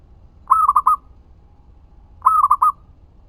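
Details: Zebra dove song used as a lure for other doves; two matching phrases under two seconds apart, each a longer coo followed by three quick rolling notes, with low background hum.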